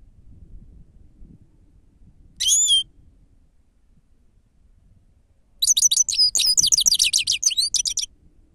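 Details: Grey-crowned goldfinch singing, labelled sava and used as a lure: a short tinkling note cluster, a few seconds of quiet, then a fast, high chattering twitter of repeated trilled notes.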